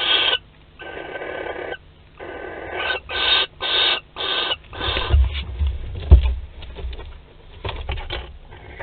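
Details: Barn owl pair at their nest in Théding, France, 25 May 2020, courting and mating: a run of rasping hissed screeches, each roughly half a second long and repeated steadily, then softer scratchy sounds and low bumps.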